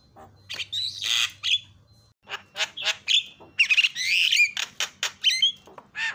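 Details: Javan myna calls used as a lure to make other mynas call: harsh squawks mixed with sharp whistled notes and rasping chatter in uneven bursts, with a low hum in the background early on.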